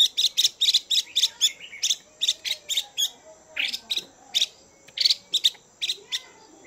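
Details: Chinese hwamei female chùi call, meant to rouse males: a continuous stream of harsh, buzzy notes, roughly three or four per second, slightly irregular in spacing and strength.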